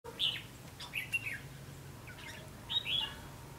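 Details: Red-whiskered bulbul used as a decoy during trapping on 19 September 2016, giving its fighting song: short bright whistled chirps and warbled phrases in bursts, separated by pauses, over a low steady background hum.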